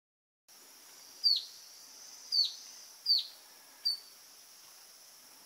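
Grey-headed canary-flycatcher giving four sharp, high notes, each dropping quickly in pitch, spaced about a second apart over a steady hiss of background noise.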